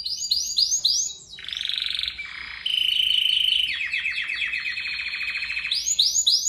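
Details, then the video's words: Canary in heavy rolling song, used as a training recording for other birds: quick sweeping notes open and close a long passage of lower, buzzy sustained trills that speed into rattling rolls. "Kenari Ngerol parah Pas Buat Masteran"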